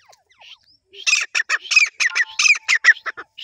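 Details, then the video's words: Grey francolin (desi teetar) calling: a few soft scattered notes, then a loud, harsh, grating burst of rapid broadband notes, repeated about every fifth of a second for two seconds, with no other sounds. "Teetar ki awaz | Desi Teetar ki awaz | Teetar boli | Teetar voice | Teetar sounds"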